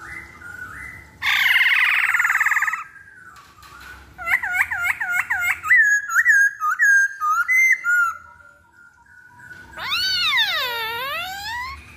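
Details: Black-throated laughingthrush song used as a lure: a harsh broad burst, then rapid looping whistles and steady tones, ending in a long, deep, wavering whistle.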